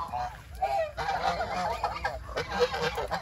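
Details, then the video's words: Geese at feeding time on a farm give loud, continuous nasal honking, several birds overlapping in a dense, ragged chorus with brief pauses between bursts. "Beautiful Goose are eating their food"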